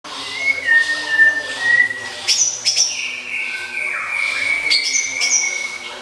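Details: Oriental magpie-robin filler song used as tutor material for contest birds: long, steady, clear whistles held for a second or more, broken by brief higher sharp notes.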